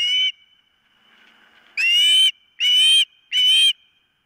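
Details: Osprey on its nest, filmed by nest camera on the morning of 4 September 2023: loud piercing whistled notes, a short pause, then three more in quick succession, each about half a second long.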